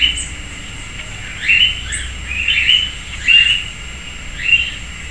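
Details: Urban sayaca tanager feeding at a persimmon tree in a home backyard in Piracicaba, São Paulo, Brazil: four short, squeaky, slightly rising notes spaced about a second apart, with faint very high chips and a steady low hum.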